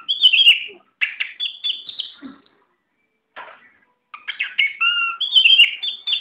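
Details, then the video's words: Competition-ready Oriental magpie-robin delivering bright, loud whistled phrases mixed with rapid chips and rattles, a short silent gap, then more sweet level whistles and a lower fluted note. "Burung KACER mental baja siap diadu"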